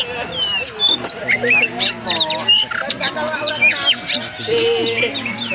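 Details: Oriental magpie-robin, known locally as kacer and called a strange one, delivers a busy stream of shrill whistles, squawky notes and rising and falling slurs, over a constant background of people talking.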